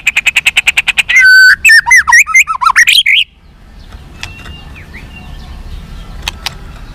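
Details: White-rumped shama song used to make caged birds responsive and combative: a rapid series of repeated notes, then loud swooping and twisting whistled phrases, followed by quiet background with faint distant calls.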